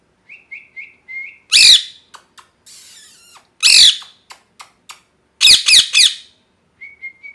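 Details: A molting pet parrot is busy and noisy: a string of short whistled chirps, repeated harsh broad squawks, clicks, a long rasping buzz, a triple squawk and closing soft whistles.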